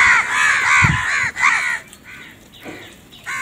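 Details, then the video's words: Crow calling in the morning while eating: a run of loud, harsh, nasal caws in quick succession, then a quieter pause and a final caw at the end. "Crow eat and crow barking | crow foods time In Morning"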